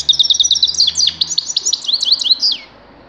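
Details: Continuous high, rapid twittering from a grey-crowned goldfinch, tumbling chirps and slurred notes run together for over two seconds and end in a falling slur, with a faint low hum underneath.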